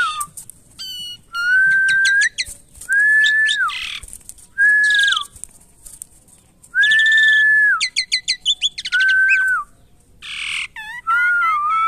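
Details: Asian pied starling, a caged bird being tamed, giving a loud varied sequence: long flat whistles with a drooping end, bursts of rapid stacked clicks, and harsh buzzy notes, with short pauses between phrases.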